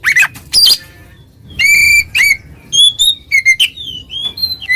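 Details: Oriental magpie-robin in ngeplong style calling a rival: two raspy bursts, then a run of pure sustained whistles, some flat, some rising or falling, with brief gaps between.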